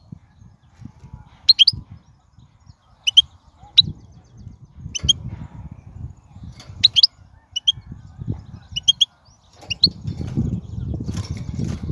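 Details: Wild European goldfinch uttering brief high tinkling notes at irregular intervals of one to two seconds, over a background of low rustling and handling noise.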